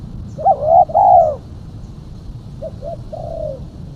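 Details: Female spotted dove cooing as a lure for other doves: a loud rolling double coo, then after a pause two short soft notes and a longer falling coo, with faint hum behind.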